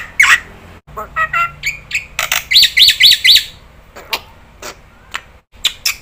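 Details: Black-winged starling calling to draw responses from other starlings. Scattered clicks and short chirps lead to four loud, harsh, arching screeches in quick succession, then sparse sharp ticks.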